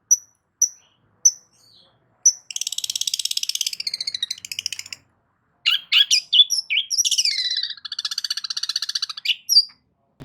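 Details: Loud long-tailed shrike song meant to goad other shrikes into replying: spaced sharp high chips, then long dense buzzy rattles broken by a pause and a burst of varied squeaky, twisting notes.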